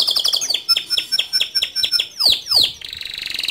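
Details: Male canary, in full, lively song suited as a model for young canaries: rapid repeated chirps, then a series of evenly spaced sweeping notes, two long descending slurs, and a fast buzzing trill at the end.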